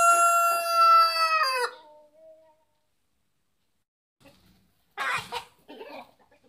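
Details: Village rooster in Kerala, India, ending a long, rich crow that drops at the close, followed by silence and then a brief harsh burst of clucking from other chickens.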